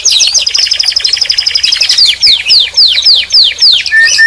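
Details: Canary singing loudly: a fast high rattling trill for about two seconds, then a run of sharply descending whistled slurs, each roughly a third of a second long, ending on a steady plain note.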